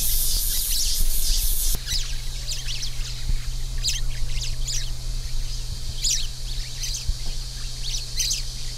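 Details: An orange-fronted yellow finch delivers rapid high chirps and short trills, loosely spaced, after nearly two seconds of loud hissing noise at the start; a low steady hum runs throughout.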